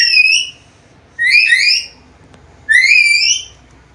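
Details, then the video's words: Three loud, rich whistles from a chattering black-capped lory that can talk. Each lasts about half a second and they come roughly every one and a half seconds, the last one sliding upward. "MASTERAN BURUNG NURI KEPALA HITAM GACOR BISA NGOMONG SUARA BERVARIASI"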